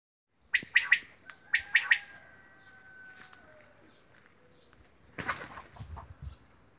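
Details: A quail in Romania gives two quick, sharp three-note phrases, liquid and fairly high, about a second apart, followed by a brief rustling burst near the end.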